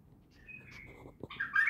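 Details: Untrained bulbul at Naft Khaneh: soft, thin whistled notes first, then a click and a louder, fuller warbling phrase that ends the recording.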